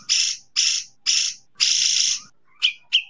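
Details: Cotton pygmy goose, recorded as tutor audio for songbirds, gives four harsh, hissing rasps about half a second apart, the last one longer, then two short, clearer higher notes.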